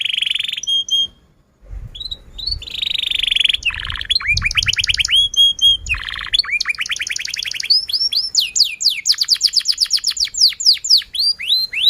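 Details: Canary singing to stimulate others to sing: a brief pause early on, then varied high rolls, sliding whistled notes and buzzy trills, ending in a long series of fast descending swoops.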